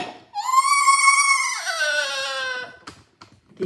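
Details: Pet parrot crying after attacking another parrot, so as not to be scolded: one long nasal, harmonic wail lasting over two seconds, level at first, then sliding lower and fading, followed by faint clicks and a woman speaking Spanish.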